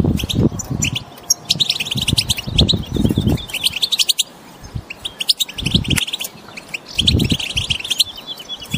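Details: Wild goldfinches chirping together to stimulate a silent bird into singing. Rapid high twittering comes in bursts with brief pauses, over intermittent low thumps and rumbles.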